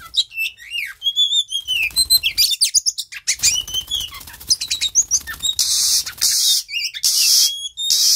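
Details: Oriental magpie-robin song during mating: sweet whistled phrases and quick chirps at first, then harsh hissing bursts, with a low rumble under the middle section.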